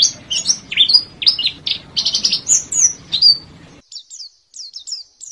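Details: Oriental white-eye (Zosterops palpebrosus) song, used as a lure to prompt silent cage birds to sing: a rapid, high twittering of thin slurred chirps and trills, then a few clearer, spaced whistled phrases.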